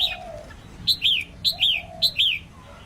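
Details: Red-whiskered bulbul female singing to excite males: three evenly repeated two-part phrases, each a sharp note followed by a rolling downslurred whistle, about every half second, with faint low whistles between.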